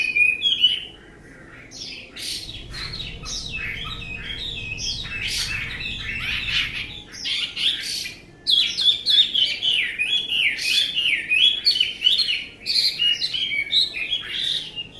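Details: Chinese hwamei singing: a brief whistled opening, a short lull, then loud rapid warbling of varied sliding, slurred whistles and sharp high notes that run on almost without pause.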